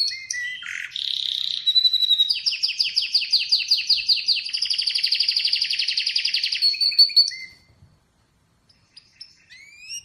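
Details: Atlantic canary song opening with scattered chirps, then a long fast rolling trill of pulsed notes, ending in a high whistle and falling glide before quiet with faint rising chirps.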